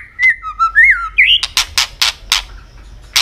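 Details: Singing robin, described as an Asian bird, giving short slurred whistles that dip and rise, then a rising whistle, followed by a string of loud harsh bursts about every third of a second.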